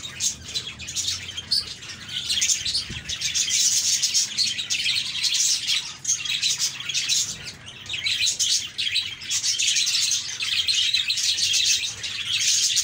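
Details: A group of happy budgerigars chatters continuously, high scratchy warbles and chirps rising and falling in intensity, briefly quieter around the sixth and eighth seconds.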